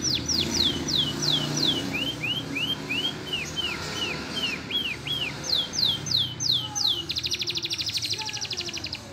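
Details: Green canary taught lovebird song: high falling whistles give way to lower arching notes, return to falling sweeps, then end in a rapid buzzy rattle.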